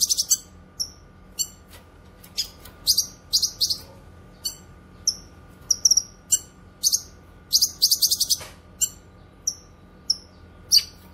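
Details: Cucak kinoy (grey-cheeked bulbul) song meant for training pet songbirds and attracting wild kinoy: lively mix of piercing high chips with falling tails and repeated short bursts of rapid, buzzy rattles.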